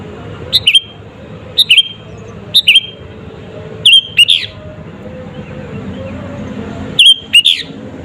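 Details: Natural energetic sooty-headed bulbul song, a lure to provoke rival birds; paired crisp chirps with short downward slurs, spaced about a second apart, some pairs richer and louder, over faint background hum.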